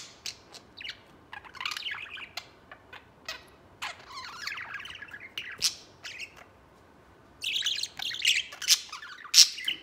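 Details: White male pet budgie playing outside its cage with another budgie; scattered clicks and scratchy squawks, a brief quiet spell, then a dense burst of loud chattering and sharp chirps.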